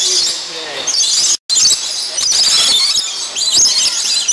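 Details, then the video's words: Captive lorikeets feeding on nectar at a Niagara Falls bird attraction, many birds screeching shrilly and continuously, with a brief cut in the sound and harsher bursts later. "Feeding the Lorikeets"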